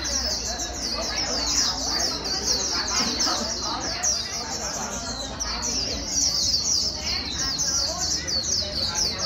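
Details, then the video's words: White-eye, a newly caught bird being stimulated to sing its fast warbling líu song: a dense, unbroken stream of very high, thin twittering notes, with a murmur of voices and other sounds underneath. "Kích chim vành khuyên bổi mau líu"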